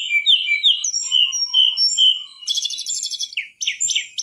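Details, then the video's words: A mangrove whistler in full, lively song gives a run of clear, high whistled notes, some slurred and rising. It breaks into a fast, buzzy, chattering burst before the whistles resume. "Masteran burung tledekan bakau gacor"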